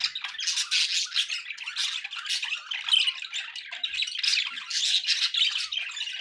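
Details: Several captive budgies chattering nonstop, harsh squawks and buzzy warbles overlapping in a steady busy stream, with faint background noise.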